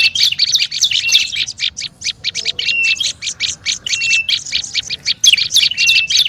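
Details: Olive-backed tailorbird, noisy lure recording: a quick series of buzzy, harsh notes, with short level whistles inserted now and then.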